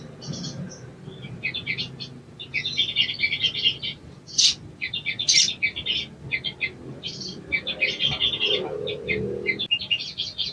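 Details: Sogon songbird giving rapid, dense bursts of high chirping and twittering notes in short phrases with brief gaps, some louder sharp accents, over a faint low background hum.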